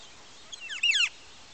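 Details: A fledgling female Northern Flicker calls from a nest box holding seven young that are ready to leave while its parents call them out, giving a brief burst of high, slurred notes and then a clear, ringing whistled phrase over faint hiss.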